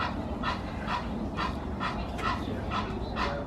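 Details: Barking duck on the Arusha savanna viewed from a lodge room, an odd noise for a duck: rough, breathy barks with a thin tonal core, about two per second, slightly uneven, over steady low outdoor hum.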